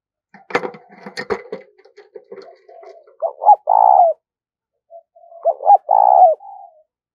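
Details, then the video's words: Spotted dove decoy call meant to lure other doves: a burst of knocks and rustling noise, then two phrases of quick short coos ending in a longer rolling coo. "Tiếng Chim Cu Gáy Thúc Và Gáy Gọi Sung"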